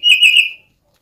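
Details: Oriental magpie-robin lure sound, said to resemble a cat and used to get other birds singing: one short, loud, wavering whistle lasting about half a second, slightly buzzy, in silence.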